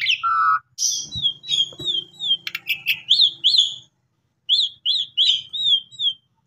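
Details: Asian pied starling singing as a lure for sulking or stressed kept starlings: a long flat whistle, then a quick stream of slurred whistles and buzzy notes, a brief pause, then a row of bright rising-falling chirps.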